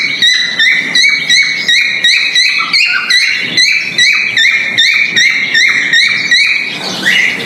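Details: Male cockatiel mating call while breeding: a steady series of bright, clipped whistled notes repeated about every 0.4 seconds, slightly rising, ending in a longer upward-sliding whistle.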